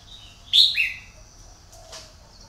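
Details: Red-whiskered bulbul, a caged decoy bird kept for luring, gives two short loud whistled notes in quick succession, the second lower and sliding. A faint quieter note follows, over low steady background hiss.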